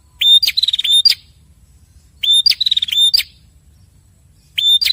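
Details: Prinia pair answering each other with repeated phrases about every two seconds. Each phrase has a clear whistle, a quick chattering trill and bright clicking notes. Pauses between phrases are otherwise quiet.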